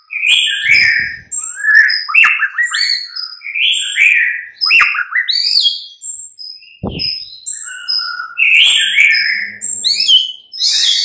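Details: White-rumped shama singing in the mid-morning, a lure recording meant to prompt a bird to answer: varied rich phrases of rapid whistles, chirps and trills, sliding notes and high piercing accents following one another almost without pause.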